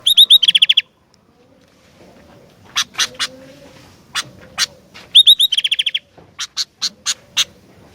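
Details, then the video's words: Sooty-headed bulbul singing actively: a quick burst of about eight hooked, ringing high notes, a pause, loose sharp dry clicks, then another rapid ringing series followed by more spaced clicking strokes. "Kicauan Gentilang Gacor Dooor"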